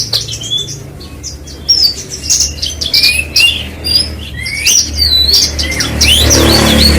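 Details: Bush lark, locally branjangan, pours out a chattering series of high chirps and rising whistled slurs, about two notes per second, over a low background hum.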